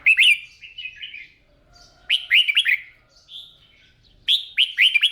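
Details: Red-whiskered bulbul trained each morning to sing its competition song; loud clear bursts of three or four quick rising-falling whistled notes, repeated several times with short pauses.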